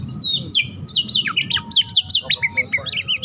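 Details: Caged white-rumped shama of the spirited 'hot' type, singing a dense song packed with imitated phrases: rapid sweeping whistles and slurred notes, rising and falling, delivered almost without pause, with low background rumble.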